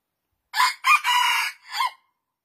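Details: Crowing red junglefowl gives a harsh four-part crow: two short bursts, a longer sustained phrase, then a brief lower closing note, with silence around it.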